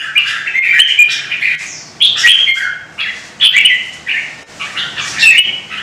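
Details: Red-whiskered bulbul, a Vietnamese songbird, singing in a fierce duel meant to provoke rivals: loud, warbled, slurred phrases about a second long, falling and rising in quick bursts with short pauses, with sharp clicks between phrases.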